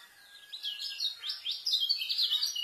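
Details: Kecial white-eye in its speedy, densely filled 'rapet isian' song for tutoring young birds: quiet at first, then a rush of sharp, high, zigzagging chirps strung together without a break.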